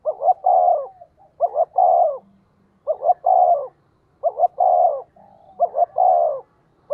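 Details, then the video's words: Decoy spotted dove calls rapidly to draw wild birds, giving five quick phrases of two short hoots and a long mellow coo, about every one and a half seconds, with faint softer notes between. "Chim Cu Mồi thúc tốc độ có kèm nghe cực hay, bổi nghe phát gáy luân"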